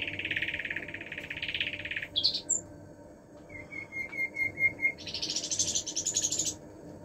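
A common nightingale sings varied phrases: a dense buzzy trill, a few sharp high whistles, a rapid series of repeated even notes, then a high rattling churr.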